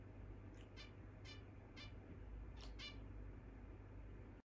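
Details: Zebra finches flying freely around a room give short, nasal, trumpet-like beeps, several in quick succession, over a steady low indoor hum.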